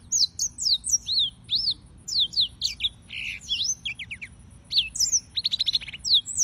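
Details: Yellow-fronted canary (Serinus mozambicus) singing: a lively run of sweet whistled notes, rising and falling slurs, with rapid trilled buzzes near the end; no other clear sounds.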